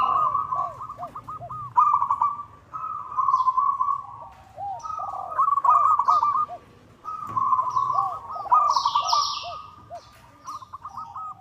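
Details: Local zebra doves calling a rival, used as a lure: repeated bursts of fast trilled cooing phrases ending in clipped notes, overlapped by softer lower curved coos from another dove. Occasional high chirps of other birds.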